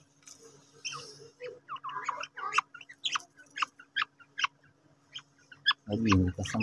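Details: Fighting quails give a busy string of short clipped chirps and squeaks, about two per second and unevenly spaced, before a loud low rumbling noise takes over at the end.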